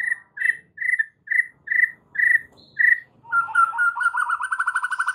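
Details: Masteran song of a White-rumped shama packed with varied fill phrases: seven short whistled notes repeated about twice a second, then a fast buzzy trill that speeds into a rattling stream.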